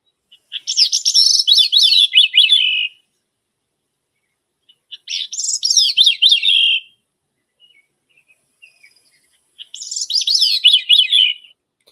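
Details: A Gray-cheeked Thrush in North America sings three high, flute-like phrases about two seconds long, each starting slightly buzzy and rising briefly, then spiraling downward; quiet between phrases. It sings only a little during migration.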